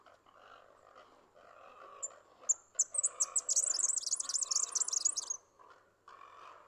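A Red-backed fairywren gives a few thin, very high notes, then a fast, shimmering, insect-like reel lasting about two seconds. A low, steady hum runs underneath.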